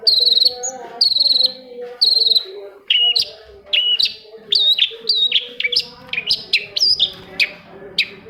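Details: Long-tailed shrike song for stimulating silent shrikes: three loud buzzy trilled bursts, then a fast chattering series of slurred whistles and chips.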